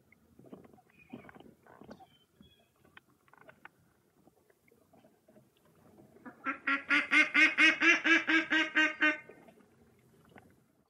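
A mallard gives a fast run of about a dozen loud, nasal quacks, four a second, after a few soft, scattered calls and rustles.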